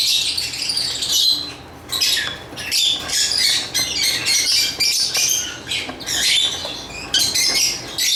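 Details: Harsh squawky chirps from lovebirds pour out in irregular bursts, high and grating, with short lulls scattered between the louder outbursts.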